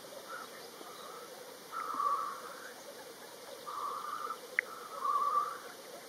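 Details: In Kurzeme, Latvia, lekking black grouse give bubbling, gurgling phrases in uneven bursts, with one brief sharp click between them and a distant chorus of displaying birds throughout.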